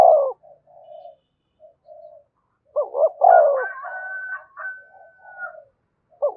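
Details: Spotted dove from Đồng Nai, Vietnam, calling and urging to draw in wild doves: low hollow croos and a double coo, overlapped by a sustained high whistled tone and busier chatter.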